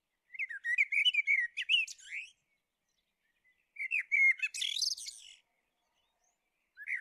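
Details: A common blackbird delivers fluting, warbled phrases that break into a jumble of thin, high twittering, two full phrases and the start of a third.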